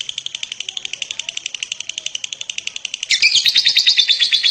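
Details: Champion lovebird repeating quick, even high chirps before bursting into a louder, harsher squealing chatter.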